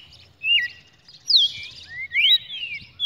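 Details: Red-cowled cardinal recorded on 23 June 2019, giving short high whistled phrases with sliding, looping notes, separated by brief pauses, over a faint low rumble.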